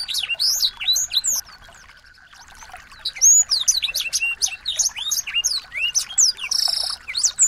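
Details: Small birds singing, used to provoke a white-rumped shama into song: bright chirps and whistled slurs, then a quieter pause with a steady faint hum, then renewed fast twittering and a short harsh buzzy burst near the end.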